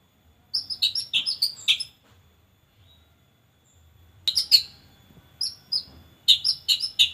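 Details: White-rumped shama song used as a lure for training birds: bursts of rapid clear whistled and chattering notes, a pause of about two seconds, then further quick phrases with faint low hum beneath.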